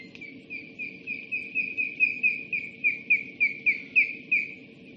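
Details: Osprey at a nest on a live nest camera, 26 July 2016: a steady series of short, sharp whistled chirps, about three per second, growing louder, over low background rumble.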